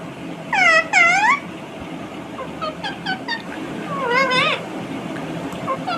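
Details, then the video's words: Talking pet Indian ringneck parakeet: two loud harmonic squawked syllables, then softer chattering word-like notes and another rising-falling mimicked phrase, with quieter murmurs after. "Non -Stop Talking Parrot 🦜 Talking To Everything"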